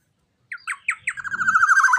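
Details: Loud, large young black-naped oriole used for tutoring captive birds, starting with harsh separate notes that tighten into a fast rolling, buzzy trill.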